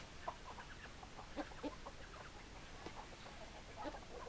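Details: Soft scattered clucks from chickens, brief low notes spaced irregularly across the stretch, with background hiss.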